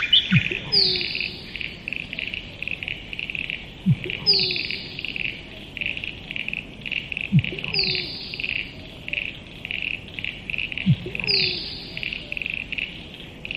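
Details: Musk duck repeating its display four times, roughly every three and a half seconds: a deep thumping plonk, then a piercing whistle gliding downward, over a continuous rhythmic insect chorus.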